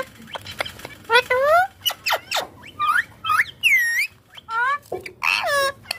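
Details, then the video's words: Green ringneck parrot busy playing on a mobile phone chatters fast, mixing high curved mimicked syllables with sharp clicks and taps, loud and clear throughout. "Ringneck Green Parrot talking"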